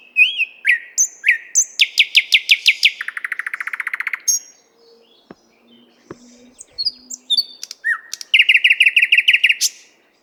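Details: Nightingale singing in the 50th Anniversary of October park in Moscow, recorded with a RODE NTG-3 microphone and ZOOM H6 recorder: loud, varied phrases of rapid repeated notes, a fast buzzy trill, brief pauses, then a bright rattling series of sharp repeated notes.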